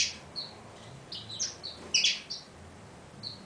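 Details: Pine siskin producing quick, high-pitched chirps and twitters in close succession, some notes doubled, against a low, steady background hum.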